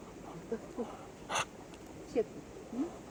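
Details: Muscovy duck (Cairina moschata) calling: four soft, low, breathy peeps at irregular intervals, with one short hiss-like puff of breath between, in an otherwise quiet setting.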